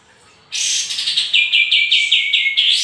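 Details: Sooty-headed bulbul in full song, meant as a lure to provoke answering birds: after a quiet start, a loud burst of rapid chirps, then about eight evenly repeated clipped notes at roughly three per second, ending in an upward flick.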